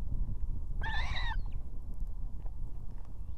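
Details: Female Osprey at an evening nest in Estonia, two chicks present, calling the male to come with food. A single harsh, drawn-out squealing note with a rich, layered tone lasts about half a second amid heavy low wind noise.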